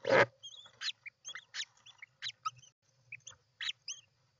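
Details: European roller at the nest, recorded 29 June 2024: one loud rasping burst opens, followed by a scatter of short harsh notes and brief arched whistled notes, some doubled, over a faint low hum.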